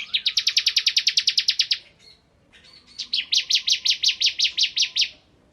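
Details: Bar-winged prinia in full 'ngebren' song: a rapid stream of about fifteen bright buzzy notes, a brief break with faint twitters, then another steady run of around twelve notes.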